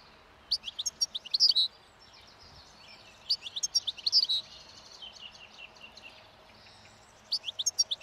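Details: Wild European goldfinches feeding acrobatically on last year's thistle seeds by a roadside, breeding song starting as spring approaches; repeated bursts of bright, rapid twittering and tinkling notes, with softer chatter between.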